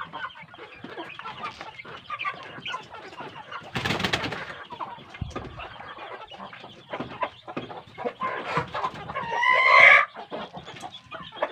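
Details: Well-grown kampung chicks on good feed keep up steady clucking and chirping, interrupted by a short flapping burst, later topped by a loud, rising squawk.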